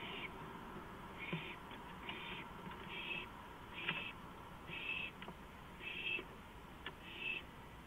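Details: An owl on a porch at 2:05 AM, April 5, 2015. It gives a long series of eight short, breathy screeching hisses, nearly one a second, with faint clicks in between and a steady hum.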